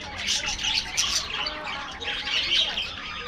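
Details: Afternoon feeding in an aviary brings a steady budgerigar flock chatter: dense, bright chirps and squeaky warbles layered over one another, swelling in bursts.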